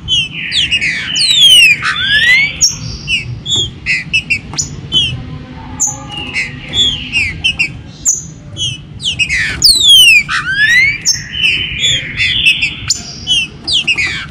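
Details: Caged green-winged saltators in a 2022 warm-up recording to stimulate birds: a group of loud falling swoops near two seconds and again near ten, with long level whistles and many brief chips throughout.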